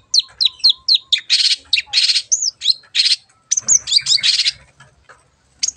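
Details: Long-tailed shrike in lively song used as a lure to make birds sing: a fast run of high chirps and whistled slurs mixed with scratchy buzzing notes, broken by a short pause, then more chattering.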